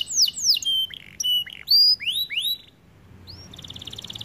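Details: White canary in varied song, mixing steep downward slurs, short whistled notes and arched sweeps, then a quieter high rattling trill at the end.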